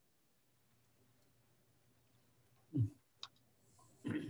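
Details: Near silence with a low hum, broken by a few dull knocks and sharp clicks near the end, with no animal calls.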